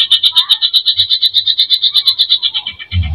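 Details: Greater green leafbird in full filler-laden song meant to provoke emotion: a steady rattle of bright high notes, about five per second, slowing toward the end, with faint low noise.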